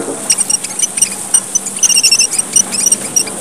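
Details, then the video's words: Very high, thin chirps and tinkling trills from a red munia, one of Papua's smallest birds, as a lure call; notes come densely and irregularly, with a faint low hum behind them. "suara gocar, burung emprit merah papua / suara burung pipit / suara pemikat & pancingan gocar"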